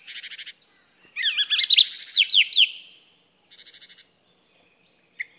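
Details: Song thrush starting with a fast, even stutter of high notes, then a rich burst of looping, musical whistles, then another rapid run of repeated short notes.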